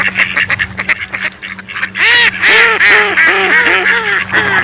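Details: Mallard: quiet clicking chatter for two seconds, then a loud, rapid sequence of harsh nasal quacks, rising and falling, sometimes overlapping as if from more than one duck.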